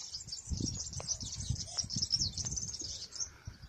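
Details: Several European serins singing a lot in the wild near an olive tree: a continuous high, jingling, buzzy twitter, with soft low rustling and handling noise beneath.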